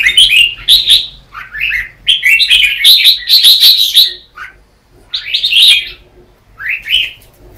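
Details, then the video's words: Morning contest-style singing of a red-whiskered bulbul, meant for training other birds: lively liquid chirping phrases, a dense run of notes in the middle, then a pause and two more brief warbles. "Chào mào Luyện hót đấu mỗi sáng 30' - Căng lửa hót hay"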